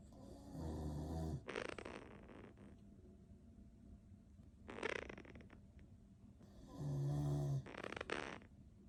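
A Quaker parrot makes low, rasping snore-like sounds, drawn out and repeated with breathy bursts between.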